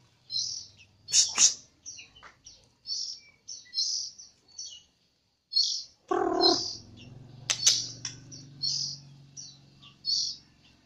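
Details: White-rumped shama of the Jambi type, singing with canary imitation: short high chirped notes repeated about twice a second, broken by a brief low rumbling noise midway.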